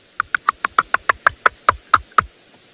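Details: A bearded woodpecker taps wood behind a mixed feeding bird party in the tree canopy, mid-morning on 19 April 2018 at Djuma, Sabi Sand, South Africa: about a dozen sharp, hollow knocks, a few per second, spacing gently as the series goes on.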